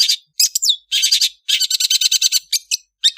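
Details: Melodious afternoon song of an Indonesian long-tailed bird: bursts of rapid, scratchy, high-pitched chattering notes, a quick run of about a dozen evenly spaced harsh notes, then short isolated chips.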